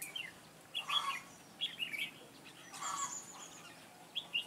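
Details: Decoy red-whiskered bulbul (Mũ lân Ché) used in trapping to draw wild birds in, recorded 9 June 2017. Gives quick warbled, slurred notes in two bursts, with broadband rustling noise between them.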